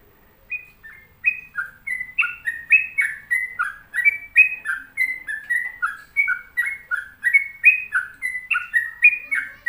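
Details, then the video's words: Lively sustained song from a sooty-headed bulbul (trucuk) heard at home: rapid chirpy whistled phrases bouncing between high and lower notes, repeated continuously about three per second, with almost no other sound. "Pokoknya Cari Trucuk yang Gacor"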